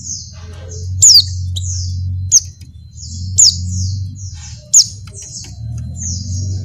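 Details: A female Oriental white-eye in breeding condition calling to males: thin, very high, downslurred notes in quick runs, broken by louder sharp down-sweeping calls every second or so over a low hum.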